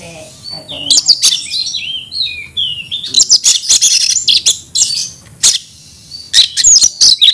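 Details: Oriental magpie-robin (kacer) in caged aggressive fighting song: slurred whistled phrases at first, then loud bursts of rapid high chips and trills separated by a short pause.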